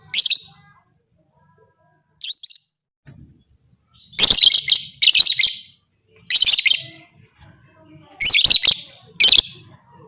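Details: Lovebird calling in a way said to rouse other lovebirds to fight: a few short, faint squeaks, then loud, harsh, high-pitched chattering bursts in clusters, separated by brief silences.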